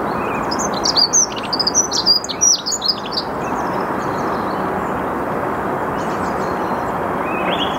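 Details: Dunnock in the early morning, 8 March 2022, 08:55, Saarn-Mendener Ruhraue, Mülheim an der Ruhr. It opens with a quick, squeaky, jumbled warble of roughly two and a half seconds. Later come a few distant song thrush notes, with a steady background roar throughout.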